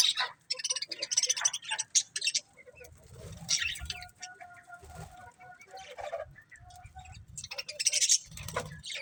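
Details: A group of budgies gives bursts of harsh, high, buzzy warbling, separated by quieter spells where faint sustained tones and soft low thumps are heard.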